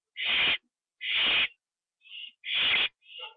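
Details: Nest owl at night, October 9, 2011, 9:54 PM, after a bird is brought in as prey and eaten inside. Three long, harsh hissing screeches, each followed by a brief quieter rasp.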